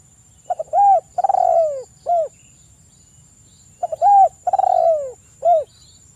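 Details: Spotted dove singing, used in the morning and evening to set other doves singing: two phrases, each of quick stuttering notes, a loud coo, a long falling coo and a brief final coo, separated by silence.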